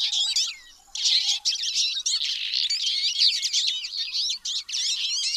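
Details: Twite producing steady, dense twittering, with high chirps and buzzy trills following each other closely after a short pause near the start.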